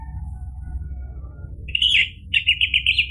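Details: Orange-headed thrush, its song used to provoke a silent bird into replying: after faint murmurs, a burst of rich whistled notes, then a quick series of repeated warbled syllables.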